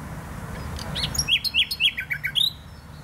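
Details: Nightingale, Botanical Garden in Poznań, Poland: a quick sequence of six or seven arched, whistled notes repeated in a steady rhythm after a soft opening.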